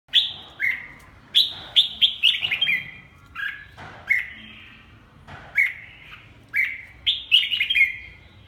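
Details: Red-whiskered bulbul of the Hue type, a caged bird, gives short bright warbled phrases, each a quick rising-then-falling burst, in clusters of two to four separated by brief pauses, over a quiet background.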